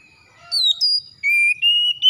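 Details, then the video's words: Oriental magpie-robin singing in a morning recording for coaxing lazy birds into song: a high whistle sliding down, a level note, then a run of steady lower whistles rising slightly, in near silence. "TERAPI PAGI PEMULIH KACER MALAS BUNYI CEPAT GACOR"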